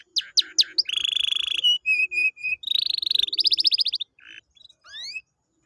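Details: Canary song intended to get a lazy canary singing again: a few sharp slurred notes, sustained buzzing trills, short whistled tones, a quick rattling series, then rising slurred notes.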